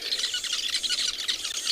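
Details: Sociable weavers giving alarm calls in South Africa as a snake moves from the tree canopy down onto their nest, warning each other of the threat: a dense, continuous chatter of harsh, rapid high-pitched chirps from many birds at once.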